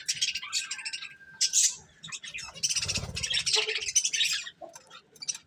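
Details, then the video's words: Pet budgerigars enjoying corn make busy warbled chirps and buzzy trills in overlapping phrases, with a thin steady whistled tone early on. "Cute Budgies Enjoying Eating Corn | Love Birds Chirping Sounds"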